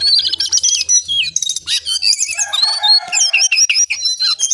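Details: Brown songlark giving vigorous song early in the day: a tumbling stream of high twitters, buzzy notes and thin sliding whistles, changing constantly, over a faint low hum.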